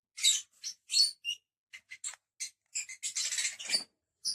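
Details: Lovebirds kept as pets, five birds, trading varied high chirps and twitters, irregular, ending in a dense burst of overlapping chatter.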